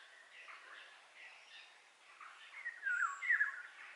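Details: Eurasian golden oriole song: a bright, liquid whistled phrase with quick downward slurs in the final second and a half, rising out of a busy chorus of other birds chirping in the background.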